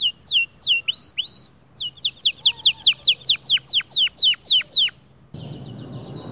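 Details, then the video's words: Male white canary singing to encourage other birds: a run of about fourteen steeply falling whistled notes, evenly spaced, then a short gap and faint background hiss. "أفضل 8 دقائق تحفيزية ذكر كناري خرافي شوف كيف طيورك راح تتغير معاها canary"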